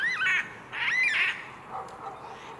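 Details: In mid-winter, a flock of roughly 50 Yellow-tailed black cockatoos cracks open walnuts in a northern Tasmanian walnut grove. One gives two drawn-out, wavering wailing calls, then others in the flock answer more faintly from a distance.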